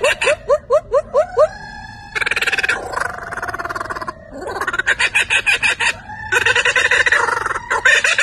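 A Laughing Kookaburra opens with about eight quick, rising hooting notes, then bursts into a loud, raucous cackling laugh of rapid harsh pulses lasting several seconds.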